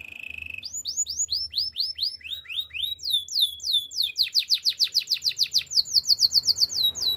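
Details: Canary song used for training canaries: a steady high whistled note, then rows of rapid repeated downward-sweeping syllables that quicken into fast, loud rolling trills, each phrase repeated several times before switching.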